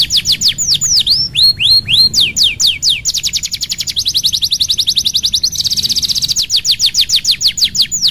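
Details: Canary lure song for canaries that will not sing: swooping down-and-up whistles, then a long series of fast repeated notes that shifts into a dense, buzzy rattle before slower falling notes return.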